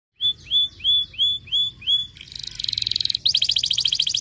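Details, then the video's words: Kenari pocong canary singing nonstop in the losdol style: six clear, rising then falling whistled notes spaced about a third of a second apart, then a fast buzzy trill and a dense rattling run of high notes. "KENARI POCONG LOSDOL GACOR PEDAS SUARANYA"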